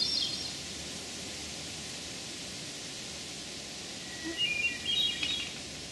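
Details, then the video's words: Hermit Thrush singing in Memorial Forest, Sudbury, Massachusetts, on June 11, 2012: after a quiet stretch, one phrase opens with a steady low whistled note and then breaks into higher flutey warbled notes. Steady background hiss throughout. "Hermit Thrush Song"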